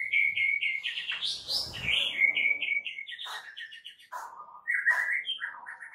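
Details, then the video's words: White-rumped shama (murai batu) masteran song, a tutor recording: fast run of repeated short whistled notes near the same pitch, then rising buzzy slurs and varied chirped phrases, with a soft low rustle in the background. "AUTO RESPON MURAI BATU ANDA DENGAR MASTERAN MURAI BATU SATU INI"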